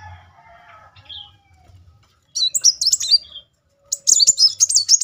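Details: Sunbird (kolibri muncang) used as a lure to stir singing; faint distant notes and low hum at first, then two bursts of fast, high, twittering warbles.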